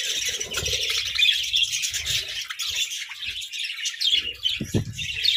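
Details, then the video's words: Budgerigars jostling over food in captivity: nonstop bright chirps and buzzy warbling from many birds, with scattered low knocks and taps. "Parakeet Symphony & Budgie Brawls: Chirping Sounds and Food Fights!"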